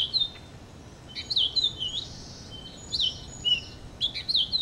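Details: Purple finch delivering loud, bright warbled phrases of quick up-and-down slurred notes, three bursts each about a second long separated by short pauses, in an otherwise quiet setting.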